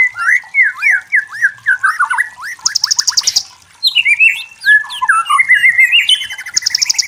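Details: White-rumped shama, a forest bird, singing a clear, rich, varied song of rapid whistled phrases, rising and falling slurs and bright trills, with quick buzzy high-pitched bursts mixed in and brief pauses between runs of notes.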